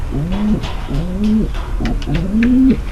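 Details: Female pigeon calling to ready the male for mating: three low, rising coos, each swelling and holding about half a second before breaking off, with faint clicks above.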